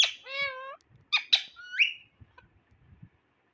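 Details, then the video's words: Pet Indian ringneck parrot giving a drawn-out harmonic, voice-like note, two sharp squeaks, then a rising whistled slur, followed by faint soft clicks. "Ringneck Parrot Berbicara dan Mengatakan Bahasa Bahasa Luar"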